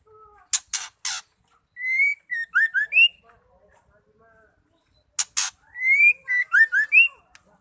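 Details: Female white-rumped shama (murai batu betina) calling to provoke males into singing: three sharp clicks, then a run of whistled, slurred and rising notes. The whole phrase repeats about five seconds later in a quiet setting.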